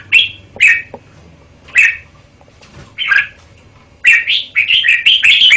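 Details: A caged red-whiskered bulbul gives separate sharp whistled chirps, then breaks into a fast, jumbled run of bright, warbling notes toward the end.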